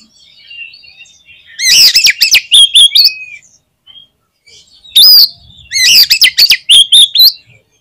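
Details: Oriental magpie-robin (kacer) in full prolific 'gacor' song: two loud bursts of rich whistled notes mixed with rasping, clicking elements, each lasting about two seconds, separated by faint distant twittering.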